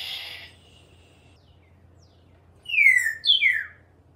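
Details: Pet African grey parrot, hatched 1997, on a screen porch at a home in Texas, serenading birds and squirrels with an original tune: after a soft noisy burst, two clear whistled notes slide downward, the second starting higher.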